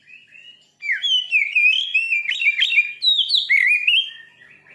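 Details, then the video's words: Fierce Oriental magpie-robin (kacer) song meant to rouse another kacer: after a faint opening, a loud, fast stream of varied whistled slurs, rising and falling notes and sharp chirps, continuing without pause. "Suara burung kacer terganas.sangat ampuh cepat bikin emosi Kacer anda.!"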